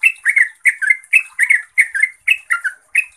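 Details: Yellow-vented bulbul in lively gacor song, played to make mute trucuk answer: steady run of bright, bubbling doubled notes, each chuckling phrase falling slightly, repeated about three times a second.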